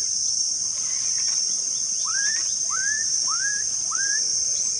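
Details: Black-capped donacobius at REGUA Wetland Reserve, recorded 5/3/16: a series of four slurred, rising whistles about two-thirds of a second apart, over a loud, steady high insect drone.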